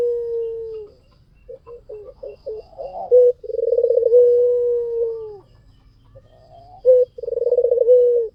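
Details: White dove in full vigorous song, used as a lure: low rolling coos that start with pulsed, throbbing notes and settle into long, steady, hollow hums of two to three seconds, with short breaks between phrases.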